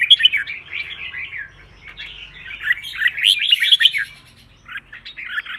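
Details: Red-whiskered bulbul kept as a contest songbird, delivering rapid chains of slurred, bouncing whistles in two lively bursts separated by a brief quiet gap, then a short closing phrase.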